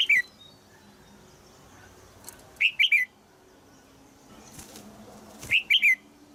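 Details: Female red-whiskered bulbul calling from a cage in Thailand to spur a young male into song; short clusters of two or three bright, falling chirps recur every few seconds, with soft wing flutters and a faint background hum.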